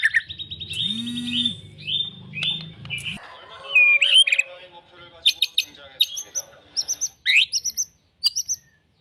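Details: White-rumped shama (murai batu) singing a varied mix of whistles, chirps and slurred notes, louder and busier after the first few seconds, with a low steady hum underneath at the start.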